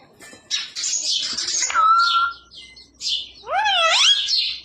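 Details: Pet parrot mimicking human speech, voicing phrases like "radhe radhe" and "Sita Ram": harsh hissy bursts, a level whistled tone, then a wavering, stacked, voice-like call rising and falling near the end, with household speech around.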